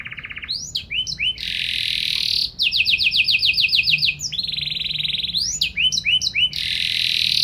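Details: Canary singing gacor style, alternating dense buzzy rolls with rapid pulsed trills and short swooping whistles in a continuous flowing phrase.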